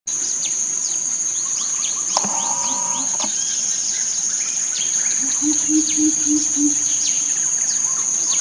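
A greater coucal gives a short run of five or six deep, hollow hoots near the end. A steady high insect drone and scattered bird chirps fill the background.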